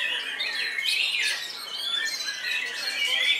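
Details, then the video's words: Competition white-rumped shama in an aggressive singing bout: loud varied phrases of sweeping whistles and harsh chatter, delivered continuously, with other contest birds singing in the background. "Murai Batu Seno 'Marah-Marah' Muntahkan Semua Amunisinya!"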